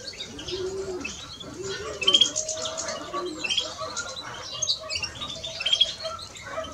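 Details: Male and female European greenfinch singing a fast twittering medley of high chirps and brief trills, while soft rising-and-falling coos sound lower down.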